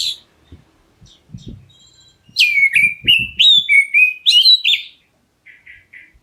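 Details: Black-breasted Oriental magpie-robin calling to make other birds answer: a loud rapid run of downslurred and rising whistles, followed by three soft short chattering notes, with low thuds in the background.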